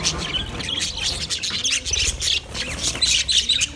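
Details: White male budgerigars in mating chatter; fizzy high warbling and squeaky chirps run throughout, pulsing in loudness, with a few clear whistled notes toward the end and low background murmur.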